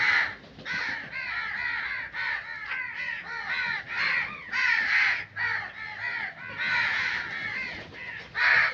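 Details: Steady string of hoarse crow caws, one after another with little pause, several voices seemingly overlapping, recorded outdoors in nature.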